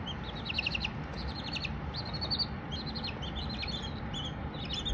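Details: A group of baby Silkie chickens peeping continuously, short high chirps repeated in quick bursts and overlapping from several chicks, set against constant low background hum.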